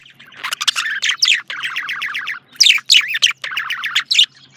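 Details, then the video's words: A male budgerigar delivers dense chattering warbles, trains of quick scratchy chirps in several bursts broken by brief silences, with occasional squeaky higher notes. "Male Budgie/Parakeet Chirping"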